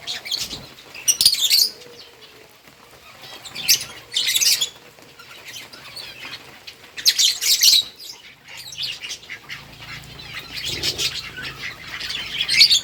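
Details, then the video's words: Lovebirds at their green food, August 4, 2024: short sharp bursts of high chirping every few seconds, with quiet rustling between and a low hum near the end. "Lovebirds eating green food birds chirping sounds"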